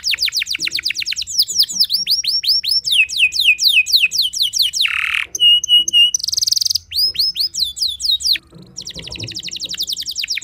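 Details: Singing canary used as a lure to make other canaries sing: long varied sequence of rapid downslurred trills, sweeping whistles, a harsh buzzy note, flat held tones and a closing fast rattle.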